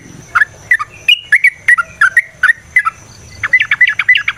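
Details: Yellow-vented bulbul (trucukan) song used to provoke a fighting response: loud, clear bubbly whistled notes around two kilohertz-range pitch, delivered in spaced bursts, ending with a faster run of repeated chirpy notes.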